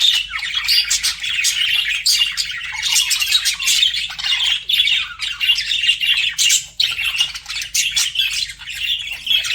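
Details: Pet budgies flirting, giving a continuous dense warble of scratchy chirps and squawky notes, high-pitched and unbroken for nearly ten seconds, with a few short dips.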